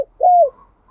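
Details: Single smooth downslurred coo from a spotted dove used to lure and provoke others into singing, with faint higher coos of another dove after it.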